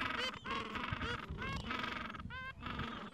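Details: Gentoo penguin colony in the Falkland Islands, mild afternoon, adults with two- to three-week-old chicks; rhythmic nasal harmonic honks about once a second, each slightly rising, over a constant murmur of other birds.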